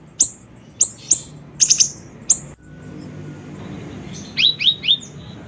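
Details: Siri-siri bird used as a lure recording: spaced high chirps and a quick triple, a pause, then three short descending whistled notes in a row.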